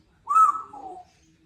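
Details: Two-year-old female Congo African grey parrot kept as a pet at a country home, practicing a birthday phrase: a single clear, tonal vocalization, a bright held note sliding down into a lower drawn-out tone, in a quiet room.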